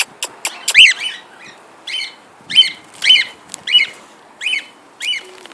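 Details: Pet cockatiels, one male singing and whistling while flying, give a run of short, bright, harmonic chirps about twice a second, with a few sharp clicks or taps at the start.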